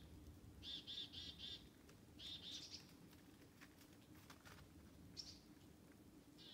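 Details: Black-capped chickadees trailing people in a forest give fainter bursts of buzzy dee notes in short groups, with quiet spells, soft rustling and low woodland background noise between them.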